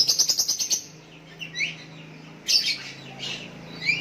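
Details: Sooty-headed bulbul calling a rival while others answer; a rapid pulsing chatter of about eight quick notes, then spaced short slurred chirps.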